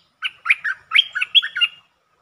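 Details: Streak-eared bulbul singing as a lure bird on 13 February 2023, among its long and doubled song styles: one quick rollicking phrase of about seven bubbly, slurred chirps over one and a half seconds in a quiet setting.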